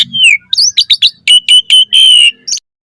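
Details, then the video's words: Asian pied starling (jalak suren) in lively gacor song full of isian variations, used as a lure for other starlings: a falling whistle, then a quick run of sharp chirps and several steady, high whistled notes, ending abruptly. "Suara Jalak Suren Gacor Variasi Full Isian"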